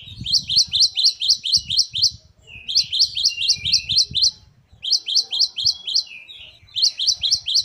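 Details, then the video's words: Great tit in full song with rich variation, delivering bright high two-note phrases in rapid repeated series of six to eight, broken by short gaps, over soft low background thumps. "Great tit. Singing birds. Parus Major."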